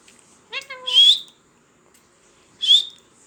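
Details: A pet talking parrot makes a nasal, speech-like harmonic syllable run into a piercing whistle, then after a pause a second sharp rising whistle.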